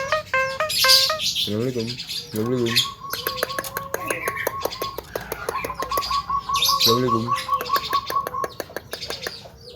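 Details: Melodious full isian song of a young Javan myna. Clicking trills run beneath steady mid-pitched whistles, broken by short warbled harmonic phrases and a few bright high notes.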